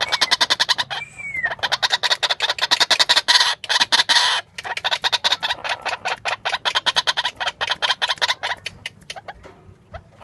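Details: Female White-breasted waterhen in full voice: a fast, steady run of rasping, croaking notes that slows and fades toward the close. A short, thin whistle sounds early on.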